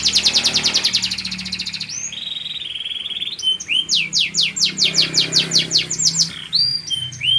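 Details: Champion contest canary in full song: a fast high trill opens, then a steady buzzy roll, followed by a series of loud rising whistled sweeps repeated about three per second, with faint low background hum.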